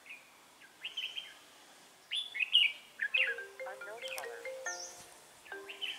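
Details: Red-whiskered bulbul recorded during a trapping session on 3 November 2018; short bright warbled phrases in bursts, with a separate lower buzzy, harmonic-rich stuttering sound in the middle.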